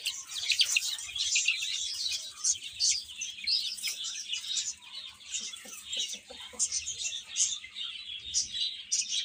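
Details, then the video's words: Chicks eating and playing fill the air with steady, densely overlapping high chirps, bright short peeps repeating without pause along with light scratching sounds. "Cute Chicks Chirping Sounds"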